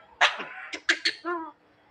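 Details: Javan myna imitating a person coughing: a loud rasping cough-like burst, then several short harsh bursts and a brief nasal tone, ending in quiet.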